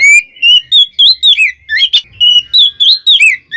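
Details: Oriental magpie-robin song meant to rile other magpie-robins: a steady run of loud, clear whistled notes, some rising and some dropping, about three per second, with sharp chips mixed in.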